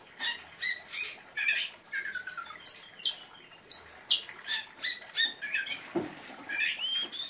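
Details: Lively song of an Oriental magpie-robin with sharp bursts: varied chirps and short trills, two bright rising-falling whistles near the middle, then quicker twittering notes and a final slurred whistle.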